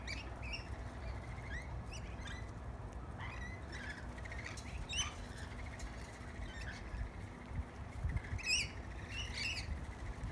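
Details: Pretty tame lorikeets come over to feed on bread, giving short harsh squawks and chirps scattered through the clip, with a louder burst of screechy calls near the end over steady low background rumble.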